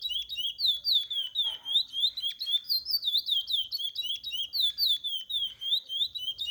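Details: Song of a captive chestnut-bellied seed finch used to teach young birds, a steady run of sweet whistled slurs, each note dipping then rising, delivered rapidly and almost without pause.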